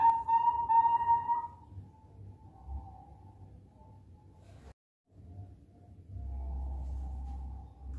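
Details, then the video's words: A 4-month-old Bangkok zebra dove, a promising singer, coos in soft, hollow, flute-like notes, a clear phrase first and then fainter coos over a low background rumble. "Irama prospek perkukut bangkok usia 4 bulan"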